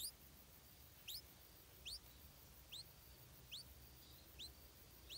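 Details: Stripe-throated bulbul chick begging as its mother brings insects: sharp, high, upward-sweeping chirps repeated roughly every 0.8 seconds over a steady low background hiss.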